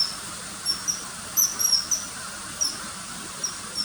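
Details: High-pitched whistled calls of a common kingfisher, sharp and brief, with a short burst of rapid notes near one and a half seconds and scattered single whistles otherwise, over gentle hiss.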